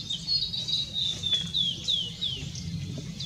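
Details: On 6 May 2016 a blue-and-white flycatcher sings a series of clear, sweet whistles, each sliding downward, delivered at a lively pace with short gaps between notes. A faint low rumble underlies the phrase.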